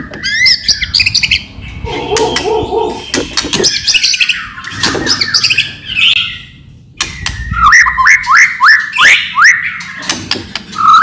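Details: Loud white-rumped shama lure song with rattling clicks: dense jumbled phrases with buzzy notes and chatter, a brief pause, then a rapid series of rising slurred whistles.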